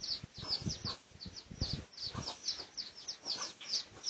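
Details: Pradu red junglefowl on 18 August 2023, in a research recording: rapid high downslurred chirps mixed with soft low thumping or scratching bursts, the chirps repeating about every half second.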